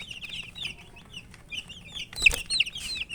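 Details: Colourful baby chicks cheeping in a busy chorus of shrill, quick, falling peeps, with a brief rustle or knock midway.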